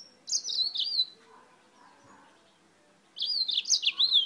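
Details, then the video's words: Mozambique canary from Spain in full song: a high twittering, wavering phrase, a pause with faint murmuring, then a second lively warbled phrase of quick sliding notes. "CANÁRIO-DE-MOÇAMBIQUE DIRETO DA ESPANHA CANTANDO MUITO"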